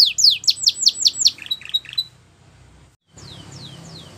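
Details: Belgian canary singing tutor song for young canaries: a fast burst of high, downward-swept notes, then a few separate piping notes, a brief pause, and three more spaced, falling whistles over faint background hiss.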